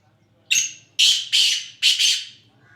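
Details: A black francolin (kala teetar) from Sindh, Pakistan, calls with a harsh scratchy phrase of five strident notes, one drawn-out opener followed by paired grating bursts, clear over faint low hum.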